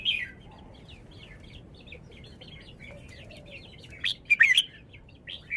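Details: Song of a caged red-whiskered bulbul, presented to show its phrasing: a long run of soft, rapid whistled notes, then a loud cluster of sharp, tumbling whistles near the end, with a low murmur underneath.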